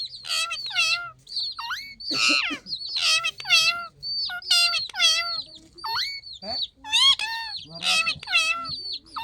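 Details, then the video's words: Green parrot calling "mitthu", uttering loud harsh squawks and screechy rising-falling notes in rapid succession, strongly harmonic and bursts repeated about every second with brief gaps, no other sounds clear. "तोते ने मिट्ठू की आवाज निकली"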